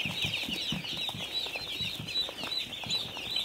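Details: Farm chicks keep up a busy, high-pitched cheeping chorus, each short peep overlapping the next, over soft, steady low knocking.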